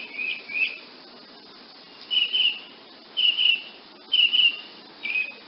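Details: Woodnymph hummingbird calling: high, thin whistled notes, some paired, coming in short bursts about once a second after a pause, over a faint steady hiss.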